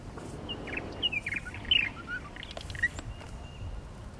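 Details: Purple martins at nesting gourds by Lake Mackintosh in Gibsonville, North Carolina; scattered short chirps and slurred notes over the first three seconds, quieter and sparse, with faint background hiss.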